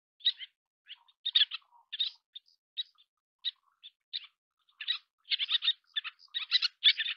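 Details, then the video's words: Little terns feeding chicks, breeding birds: a series of short high chirps and sharp notes in quick irregular bursts, some clustered into rapid runs near the end, with quiet gaps between. "小燕鷗-育雛/Little Tern-Feeding Chicks"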